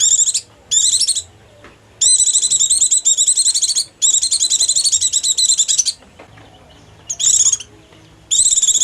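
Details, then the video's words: White-eye call for luring wild birds: a run of high, rapid, chattering trill bursts. Some last under a second and others run for about two seconds, with short breaks between them. "Suara pikat burung pleci 100% paling ampuh buat pikat pleci liar"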